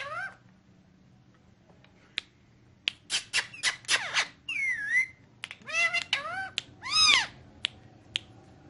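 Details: Green ringneck parrot talking in Urdu/Hindi: a fast, varied run of chattering syllables, clicks, sharp squawks and short bending whistles, in uneven bursts over about eight seconds. A steady low hum sits underneath.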